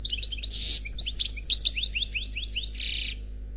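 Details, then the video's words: European goldfinch, an unpaired male singing in the Khalwi style: a quick run of high twittering notes with downward-sliding whistles, framed by two dense buzzy bursts at the start and end, over a low steady hum. "Chant Chardonneret Khalwi Célebataire CD"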